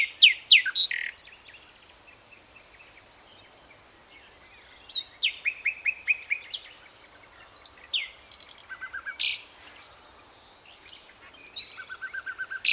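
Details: Nightingale song in bursts separated by quiet gaps: loud slurred whistles at the start, then phrases of fast repeated chirps, sharp rising notes and rapid trills, each burst different from the last.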